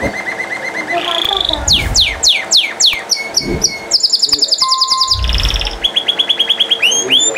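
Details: Canary in nonstop song: a steady whistled tone leads into sweeping down-slurred notes, then fast rattling trills and bright rising chips. Several low dull thumps sound in the background.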